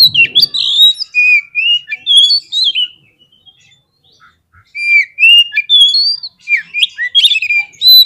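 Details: Song of an Oriental magpie-robin (kacer), used to rile up rival birds: clear bright whistles, swooping slurs and trills in two bursts split by a brief gap, with a low rustle at the very start.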